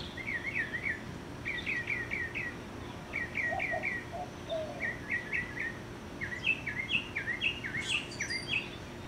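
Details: Mockingbird singing about 30 feet up, 50 yards from a yard: short phrases of repeated rising chirps in groups of three to four, a few lower whistled notes, then higher varied notes; faint hum behind.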